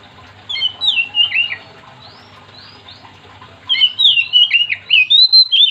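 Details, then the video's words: Oriental magpie-robin in a loud singing bout meant to get other magpie-robins singing: phrases of sharp whistled notes sliding between high pitches, one burst early, then a quiet gap and a longer, louder run of varied whistles. "Kacer gacor yang bikin Kacer lain ikut"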